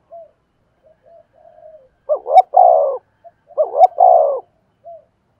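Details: Caged decoy spotted dove calling in the 'giọng thổ' style. Two close phrases of a short rising hoot run into a long burry coo, with light single notes before and after. The surroundings are quiet.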